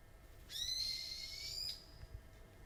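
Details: Birds on Aobayama, Sendai, Japan, recorded at 4:30 in the morning on 21 July 2014: one drawn-out, clear whistled note lasting just over a second and rising slightly, faint against a quiet low rumble.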